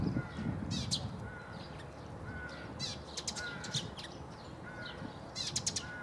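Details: Eurasian tree sparrow recorded 9 March 2015 at Bundek, Zagreb, Croatia: clusters of dry, metallic chirps in quick runs, mixed with soft short whistles from other birds and low background rumble.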